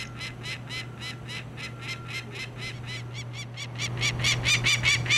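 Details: Adult peregrine falcons fiercely defending their nest during banding on a hotel rooftop in Hamilton, Ontario, 2009, attacking a man: harsh, rapid cackling notes repeated about twice a second, growing louder toward the end, over a steady low mechanical hum.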